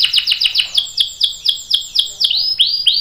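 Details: Canary song of long rolls, sung as a tutor for juvenile and adult canaries: a rapid series of sharp downslurred chirps about four per second, shifting to slower, higher sweeping notes at the end.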